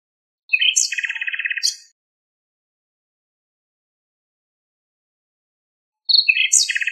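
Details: Common nightingale singing in Greek countryside, recorded from a long distance with passing airplane noise removed in editing: two rich phrases of fast, rattling repeated notes with sharp high whistles, separated by a long silent pause.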